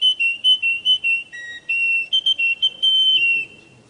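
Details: Russian canary singing a run of clear, high whistled notes, short repeated phrases alternating with longer held tones, some dipping lower before rising again, with no other sounds audible.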